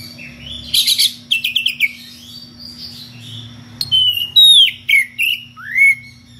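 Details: Magpie-robin, kacer ngeplong, calling a rival with unusual varied phrases: sharp high chattering notes, then a run of whistled slurred notes gliding down and one rising whistle, separated by short pauses; a steady low hum throughout.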